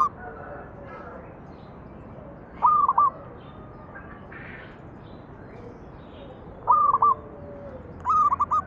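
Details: Zebra dove used as a song lure for other doves: sparse phrases of three or four clipped, bouncy coos, spaced several seconds apart, with soft distant bird sounds between them.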